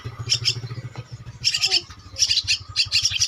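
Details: Javan myna chick two weeks old begging at feeding time: short clusters of high, buzzy chirps separated by gaps, over a steady low mechanical throb.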